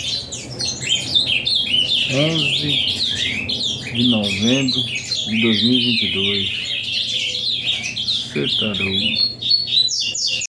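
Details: Ultramarine grosbeak pouring out a fast, high warbling song of avalanche style, with tumbling slurred notes throughout, while a man talks in short bursts underneath.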